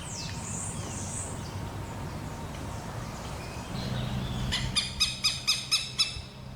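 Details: Southern lapwing with chicks gives a burst of about six loud, harsh, strident notes every half second after softer high calls, over a low background rumble.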